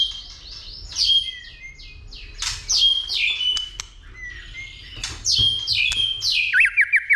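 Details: Excited white-rumped shama fighting song: quick repeated downslurred whistles in short bursts, sharp clicks between, ending in a fast string of rising and falling notes.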